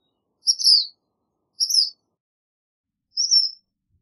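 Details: Black phoebe uttering three high, slurred notes, two falling and one flatter and fainter, each separated by about a second and a half of silence.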